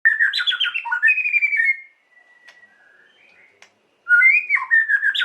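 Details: White-rumped shama song used to provoke emotion in another bird: rich whistled phrases with rapid trills and slurred notes for under two seconds, a pause, then renewed bright varied whistling.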